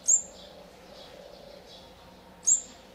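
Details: Olive-backed sunbird chicks being fed at the nest, fourth brood, day 14, 4 March 2020, Thailand: two sharp, very high, thin notes about two and a half seconds apart, with faint soft chirps between them over a low steady background hum.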